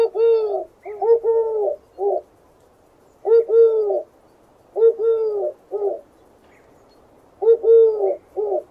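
A dove coos in low, soft phrases of four or five notes, each phrase repeated after a short pause; the background is quiet.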